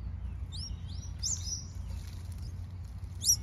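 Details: New Holland honeyeaters give a run of thin, high, slurred whistles in the first second and a half. A brief sharper high note follows near the end over soft background hiss.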